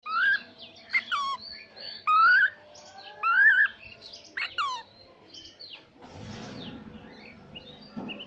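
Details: Pet talking cockatiel giving a run of clear whistled calls, several sharply rising sweeps and short chirps over about five seconds, then fading into soft rustling and low household noise.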